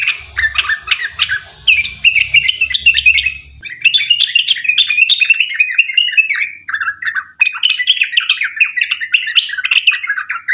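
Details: Sooty-headed bulbul giving long 'ropel panjang' song as a singing lure for other bulbuls. Ten seconds of unbroken, chattering, warbled notes that gradually slide lower, with a low rumble in the first few seconds.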